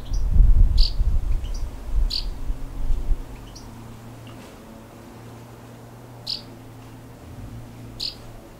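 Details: Two house martin chicks at a nest beneath house soffit boards in South Somerset, late July 2017, with parents feeding them constantly; sharp high chirps repeat quickly at first over a low rumble, then only two isolated chirps follow against a steady hum.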